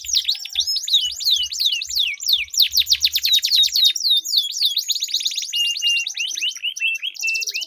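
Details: Two canaries in duel deliver a long rolling song to prompt silent birds: brisk descending whistles, then a rapid sustained roll and a series of short rising notes at the end.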